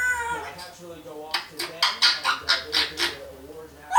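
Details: A pet African grey parrot, female and one year old, gives a drawn-out harmonic note, then a rapid string of about eight clipped syllables, like rhythmic laughing or chanting, indoors.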